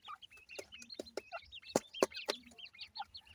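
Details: Several grey francolin chicks cheeping together: quick, high, curved peeps repeated rapidly and overlapping, broken by loud sharp clicks every few tenths of a second.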